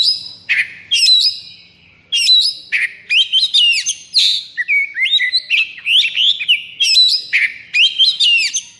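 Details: Oriental magpie-robin (kacer) in 'konslet' state of high breeding drive; continuous energetic song of rapid whistled phrases, sharp rising notes and harsh chips repeated in quick succession with almost no gaps.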